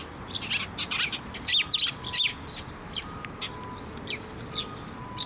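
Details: Sparrows at a Tenmangu shrine feeding platform, 6 May 2023, waiting for food; loud, dense chattering chirps in the first half, then sparser single chirps, with a faint steady hum in the background.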